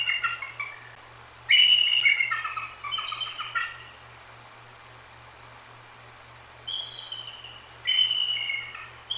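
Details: A female Bald Eagle and her mate vocalize at night on 2 January 2024, just after a Great Horned Owl knocked into her on her perch. High squealing whistles come in clusters with falling, stuttered notes, separated by quiet gaps.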